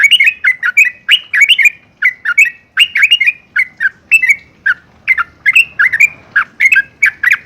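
Yellow-vented bulbul singing rapid bursts of bubbly, gurgling notes, each lasting about half a second, repeated almost without pause at a bright mid pitch.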